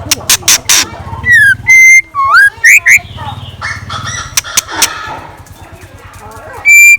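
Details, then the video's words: Decoy scarlet minivet in morning song: loud clicks, then a series of whistled slurs, some rising and some flat, followed by more clicks and a final steady whistle, with a low hum throughout. "Tiếng Chim Chèo Lửa Mồi Hót Sáng"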